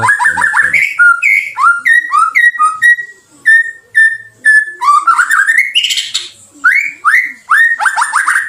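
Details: White-rumped shama song played as a trigger for caged birds: rapid rising whistled notes, then a series of short clear flat whistles, then quick rising upslurred phrases repeated about twice a second.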